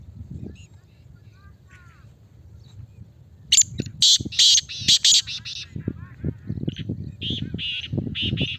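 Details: Male kala teetar, a black francolin, calling strongly after about three quiet seconds of faint low noise. Loud, harsh, scratchy notes come in a quick grouped phrase, then a second rasping series follows.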